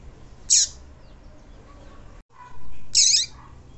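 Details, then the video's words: Female double-collared seedeater call, used to excite males: two high, sharp, short and bright chirps about two and a half seconds apart, over a faint low hum. "Piado de Fêmea de Coleiro"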